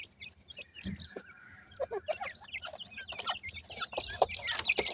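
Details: Many grey francolin chicks feeding, calling in quick, high, slurred peeps about three or four per second, with knocks and clicks and a faint held tone early on.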